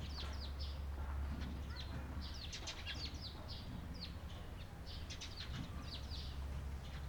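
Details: Eurasian tree sparrows, 28 April 2022, chattering with rapid, uneven strings of short bright chirps, at times several at once, over persistent low-frequency background noise.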